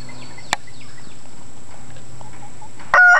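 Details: Chickens in spring 2009: soft, faint clucking notes scattered over a steady low hum, one sharp click, then a loud, short harmonic squawk near the end.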